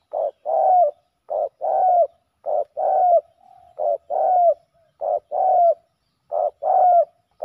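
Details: Male spotted doves in a ground decoy bout, fighting hard: repeated pattern of a short clipped note then a longer arched coo, each phrase about every 1.3 seconds, in otherwise quiet surroundings.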